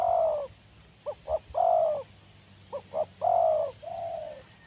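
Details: Clear, close cooing from a wild spotted dove: a long coo, two short knocks, another long loud coo, repeated, ending with a softer extended coo.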